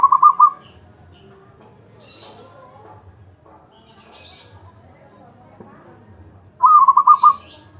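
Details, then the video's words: Zebra dove, a champion singer of the ecek ecek style, repeating short rolling coo trills about six seconds apart, with faint high scratchy sounds in the quiet gap. "burung perkutut juara ecek ecek"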